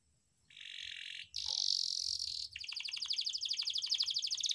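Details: Canary singing as a tutor recording for young canaries to learn rolling song: a steady buzzy tone, then a harsh hissing rattle, then a fast rapid roll of high notes that keeps building in loudness.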